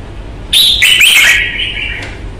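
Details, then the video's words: Caged red-whiskered bulbul from Vietnam, known for its fighting temperament and fine voice, sings a loud phrase of bright whistled notes with a harsh edge, ending in a softer trailing whistle. "CHÀO MÀO | Bóng bộ thái độ nết đấu chất giọng cực hay"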